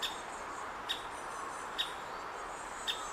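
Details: Young great spotted woodpecker in the nest cavity awaiting feeding by its parents, Hokkaido University Botanic Garden, Hokkaido, June 2019. Four abrupt, high kik notes repeat about every second against a steady hum.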